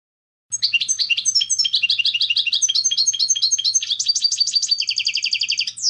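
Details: European goldfinch singing clean competition-style song meant for tutoring young goldfinches: lively high-pitched twittering phrases repeated quickly, moving into a fast trill near the end, with a faint low hum throughout.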